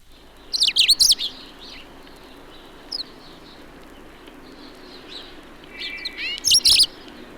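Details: Male Eurasian siskin that visited a suburban garden daily one winter, giving a trial song burst in March while feeding on seeds at a bird table: short twittering, buzzy notes, a thin wheezy trill near the end.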